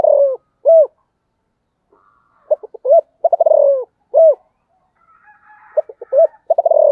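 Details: Sấm thổ spotted dove in gọi and thúc calling, several deep coo phrases, each a run of throbbing pulses ending in hollow arched hoots, with a faint background chatter near the end.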